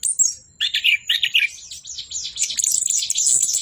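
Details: High, thin whistles from an orange-headed thrush open into a run of quick chattering notes, then a dense, shrill warbling flourish near the end.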